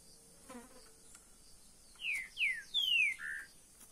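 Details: Caged green-winged saltator gives a short phrase of four clear, slurred whistles, the first two falling, a longer third note, then a lower closing note, all after a quiet start with faint background hiss.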